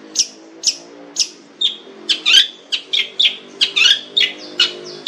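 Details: Long-tailed shrike, called cendet locally and described as fierce with a rich voice, giving a series of sharp high chirps about every half second, then a faster jumble of scratchy, whistled and trilled notes.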